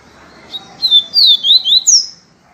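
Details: Yellow-breasted seedeater song in the viviti style: a short phrase of five or six clear, sweeping whistled notes, falling then rising, ending on a higher downslurred note, with a faint chip before it.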